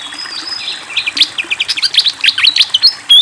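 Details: Fantail flycatcher singing persistently beside flowing water: a rapid run of sharp, high chirps and short whistled slurs, some rising and some falling, tumbling over one another for three seconds, ending in a brighter burst, over a steady watery hiss.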